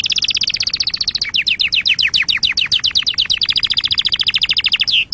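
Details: Canary song used to excite birds and train chicks: rapid repeated notes, then a long run of downward-sweeping chirps about ten per second, ending in a clipped whistle.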